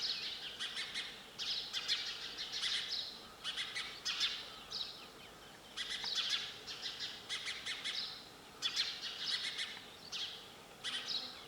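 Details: Sparrow calling with steady volleys of bright, rapid chirps, clusters arriving about every second or two, loud and high with quiet pauses between.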